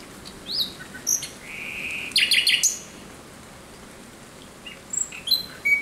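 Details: Night singing of a thrush nightingale, 17 May 2023: scattered whistles, a drawn-out buzzy note followed by a short burst of hard rattling strokes, then quiet with a few thin whistled notes.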